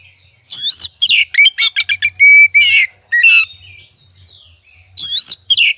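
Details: Oriental magpie-robin singing loud, varied phrases: harsh buzzy bursts, rapid chattering notes and a clear held whistle, then a short quiet gap before more scratchy, rich notes.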